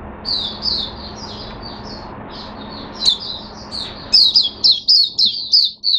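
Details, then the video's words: Caged Oriental white-eye recorded 5 May 2022 opening into song: a fast, chattering run of thin, high twittering notes that grows louder and more clipped toward the end, over a faint low indoor hum. "Mata Puteh Hercules V1 buka sing"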